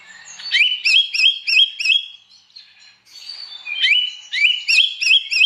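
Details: Oriental magpie-robin in full morning song, provoking other magpie-robins to join in; two bursts of fast repeated rising whistled notes, about three per second, separated by a brief pause.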